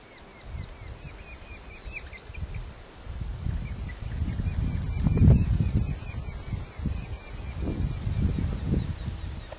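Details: Young red-naped sapsucker, Sphyrapicus nuchalis, in Premier Lake Provincial Park, British Columbia, calling continuously while a parent feeds it, recorded from far away. Thin, high, rapidly repeated squeaky notes, about four per second, run over low rumbling wind or handling noise.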